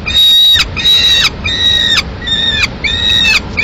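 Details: Begging peregrine falcon chick, Madrid, 22 May 2016, while the female eats a swift brought by the male: five quick, piercing, harsh cries with downslurred tails, delivered in rapid succession.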